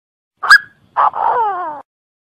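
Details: A francolin in Cambodia gives three harsh, loud notes: a sharp first syllable, a pause, then a grating note sliding down into a drawn-out falling tail.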